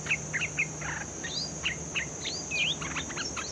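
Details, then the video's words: Bulbul, a newly caught bird in training. Short whistled and slurred notes, some rising sharply, are scattered irregularly, with a steady high electronic tone running underneath throughout. "Suara pikat merbah lekir"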